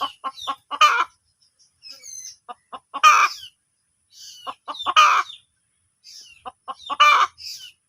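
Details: Hen calling: groups of short clucks building into a louder drawn-out squawking cackle, repeated three times about every two seconds, with quiet gaps between.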